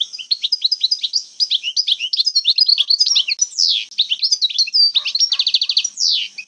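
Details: Old-style 'jbadat khalawiya' song of a European goldfinch from Algeria: dense rapid twittering, sweeping downslurred notes and a crisp machine-gun trill near the end.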